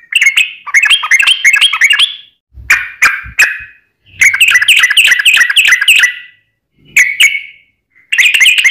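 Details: Yellow-vented bulbul in lively fighting-style 'tarung' song used as a lure: fast bursts of chattering, bubbly notes in runs of one to two seconds, broken by short pauses and a few lone phrases.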